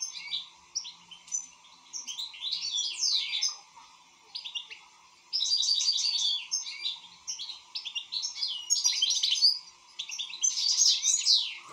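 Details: European goldfinch singing, described as in good song form: rapid bursts of twittering, tinkling and buzzy notes, with slurred whistles, delivered in phrases separated by short pauses, over a steady low hum.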